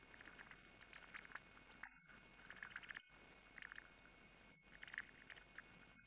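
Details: Montagu's harrier female feeding young after bringing a mouse, 23 June 2015; bursts of rapid squeaky chattering notes in three groups over six seconds, set against continuous hiss and a faint electronic tone.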